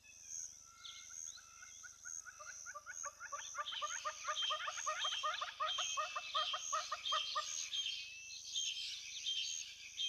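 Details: A female giant kingfisher at a lodge hide in the Olkirimatian Conservancy, South Rift Valley, southwest Kenya, gives a loud, harsh rattle of rapid kek notes that swells then fades over a steady high-pitched insect drone.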